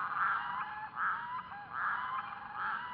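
Red-throated loon giving four nasal, goose-like honking notes, about one every 0.8 seconds, against a faint background hiss.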